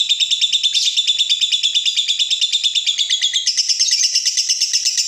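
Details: Caged lovebird pouring out the long ngekek, a lure sound meant to get other lovebirds calling: quick, regular pulses of piercing notes hold steady for three seconds, then jump higher and carry on to the end.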